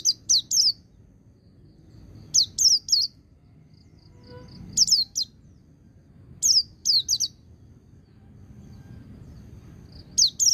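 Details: White-eye song in the ngecir sambung ngalas style, played to spur untrained birds into singing: short bursts of three sharp, high, downward-slurred chirps, repeated every two seconds or so, over a soft low hum.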